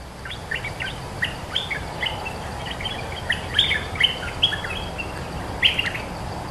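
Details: Resident cream-vented bulbul singing back at a decoy call, near-continuous chattering song of short bright whistled and bubbling notes, several louder accented chirps, light steady noise behind.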